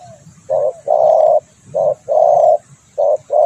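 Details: Luring call of a spotted dove: paired coos, each a clipped note then a longer mellow one, repeated three times in quick succession.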